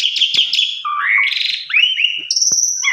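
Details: Javan pied starling lure song: buzzy high notes, then a series of rising whistled slurs and a long high steady tone, with a couple of sharp clicks.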